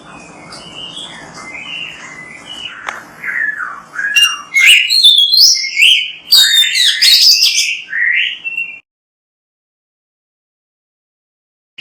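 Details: Gacor Oriental magpie-robin, used as a lure to get other magpie-robins singing, delivers wavering whistles, then a loud burst of sharp high chips and twisting notes, ending abruptly in silence.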